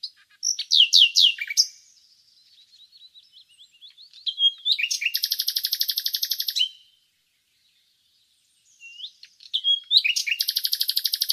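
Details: Nightingale singing: a phrase of sharp descending chirps, a soft run of thin notes, then a loud buzzy rattle of rapid repeated notes lasting about two seconds, a pause of silence, and another rattling phrase starting.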